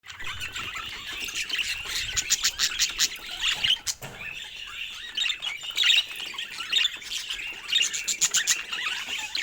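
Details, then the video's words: Budgies chattering: dense, continuous high warbling and twittering with quick chirps layered over each other, pulsing throughout. "Sweet Budgie Sounds"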